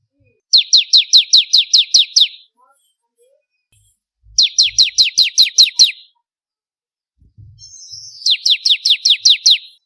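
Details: Bar-winged prinia recorded as a master track for competition birds: three separate runs of about nine to ten rapid, high, downslurred chips each, spaced by pauses of roughly two seconds, with faint low thumps between.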